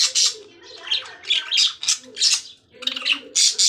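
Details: Lovebirds giving shrill, harsh squawks and chirps in rapid bursts, about eight loud bursts in under four seconds with short pauses between, a faint low murmur underneath.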